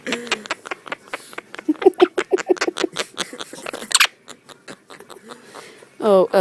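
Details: Pet Monk (Quaker) parakeet cackles in rapid, choppy bursts of mimicked human laughter, laughing at itself while playfully trying to bite someone in a game, with people talking nearby.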